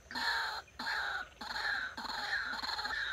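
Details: Captive White-breasted Waterhen used as a decoy for trapping gives loud, harsh croaking notes, each roughly half a second long, repeated about every half-second with brief pauses.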